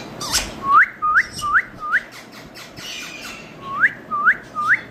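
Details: A pet Indian ringneck (rose-ringed parakeet), kept as a talking parrot, gives a short harsh squawk, then a string of clear, upward-sliding whistles, about two a second, with a brief pause before three more.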